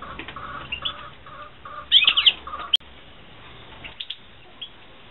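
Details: European goldfinches kept for breeding in 2016, giving short, high chirps and twitters, with a sudden louder burst of tangled notes near the middle and a sharp click just after.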